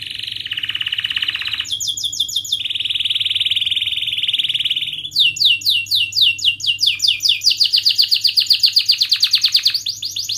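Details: Singing canary in a sharp, rolling style meant to coax young birds into learning and revive silent ones: long buzzy rolls held several seconds, shifting pitch, then quick repeated downward-swept notes about four per second over a soft steady hum.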